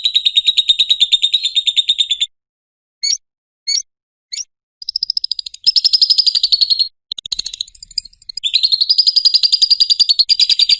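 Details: Ngekek trill of a lovebird, offered as a master and lure sound for other lovebirds: a long, rapid, high chattering trill, a pause with a few sharp single chirps, then more extended buzzy trills rising slightly in pitch.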